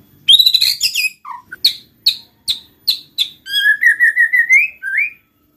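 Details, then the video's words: Song of a white-rumped shama used to prompt others to sing: a rapid bright phrase, spaced sharp high notes about every half second, then a steady rising trill of repeated whistles. "pancing MURAI BATU malas bunyi/bahan paling mudah direspon tanpa takut |murai gacor |shama bird"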